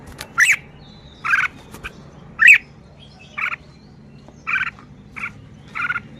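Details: Red-whiskered bulbul displaying its song style: regular short, buzzy chattering notes, roughly one per second, mixed with a few sharper slurred whistles, over a steady low background drone.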